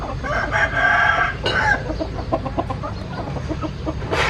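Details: Chickens in a noisy setting: a sustained harmonic call rings out at the start, followed by a quick string of short clucks and a rough burst of sound at the end.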